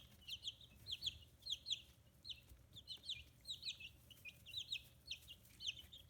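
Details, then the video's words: Clusters of piercing peeps from fifteen-day-old free-range chicks in Hiroshima, Japan, coming in regular bursts roughly every half second, each burst a quick chain of high chirps, with a faint hum behind. "Chicks Chirping Sounds"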